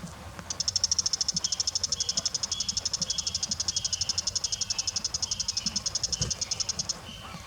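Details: Bull-headed shrike giving a long, fast chattering series of high, sharp notes, about ten per second and held steady for nearly seven seconds, over faint low background rumble.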